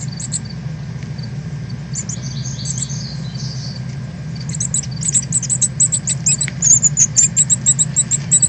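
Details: Northern cardinal fledglings leaving the nest, 13 August 2020, live stream: softer high chirps at first, then a louder rapid series of sharp high chips, about two per second, over low hum.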